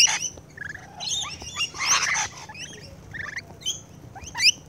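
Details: Close-up rainbow lorikeets while feeding: shrill screeching bursts mixed with short squeaky chirps and a few brief whistled notes, irregularly spaced, with a low hum in the background.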